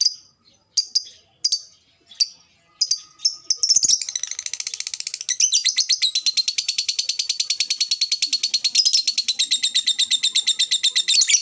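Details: Lovebird kept as a fighter bird: spaced sharp high chirps build into a long, fast, steady chatter of rapidly repeated buzzy notes lasting over seven seconds.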